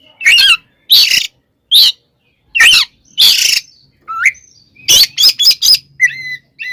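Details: Oriental magpie-robin delivering its aggressive fighting song as a lure for rival birds: loud raspy bursts roughly every second, then a rising whistle and a fast run of sharp whistled notes.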